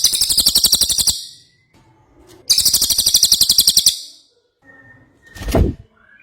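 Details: Ashy tailorbird song given as two fast, high chattering bursts of around one and a half seconds each, followed by a brief low thud.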